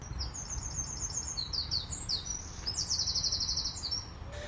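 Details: A Eurasian wren sits on a branch in a park tree near Via Borghese in Rome, Italy, singing loudly at the observer with a very high, rapid song of sharp notes and fast rattling trills over a low rumble of wind.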